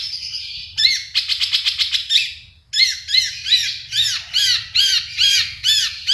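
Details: Long-tailed shrike singing busily in 'full isian' style: a fast buzzy rattle of rapid pulses, a brief pause, then a string of harsh, arched squawky notes repeated about twice per second, over a faint low hum.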